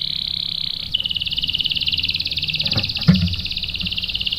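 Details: Canary lure song to provoke males into rolling replies: a long, even, buzzy trill held steadily throughout, a little quieter, with a low background hum and a faint knock.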